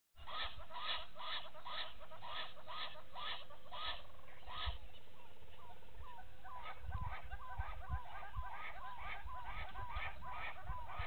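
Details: Egyptian goose pair at Gowrie dam waterhole, Djuma Game Reserve, Sabi Sand, South Africa, before dawn: steady series of harsh pulsed honks, then rapid repeated rising squeaky notes, over a low rumbling background.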